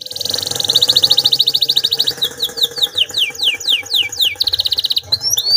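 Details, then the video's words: Energetic canary in full rolling song: long fast rattling trills of identical notes, shifting into a run of steeply falling slurred whistles, then back to a rapid roll, with a faint steady low hum beneath. "SUARA KENARI GACOR NGEROLL JERNIH"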